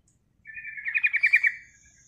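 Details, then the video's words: Single sooty-headed bulbul lure call: a smooth opening note breaking into a quick buzzy rattle of about eight pulses, then fading out. "suara Panggilan Trucukan Gacor"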